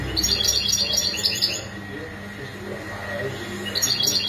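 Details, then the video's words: Goldfinch mating calls meant to encourage males to sing: a fast burst of bright, high chirps for about a second and a half, a quieter stretch, then the twittering returns near the end. "بتبتة الحسون تغريد رائع نداءات التزاوج"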